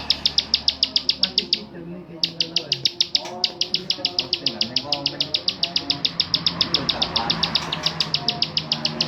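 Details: Bar-winged prinia, a kept songbird, delivering rapid dry clicking notes about three to four each second, broken by a short gap early on, then resuming steadily; soft background voices and other low sounds are audible.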